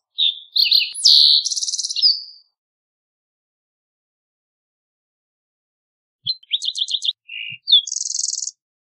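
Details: A green-tailed towhee (Pipilo chlorurus) sings two phrases a few seconds apart, each opening with sweet whistled slurs and ending in a bright, buzzy trill; no other sounds.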